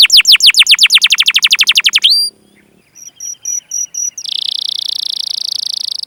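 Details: Canary song used as a training lure for young or silent canaries: fast descending chirp trills, then sparse short whistles, then a long buzzy high roll at the end.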